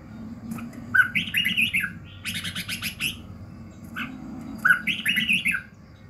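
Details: Morning song of a red-whiskered bulbul, played to train a bird's voice and fire it up. Two bursts of liquid, chattering whistled phrases are split by a short pause. A low background hum runs throughout.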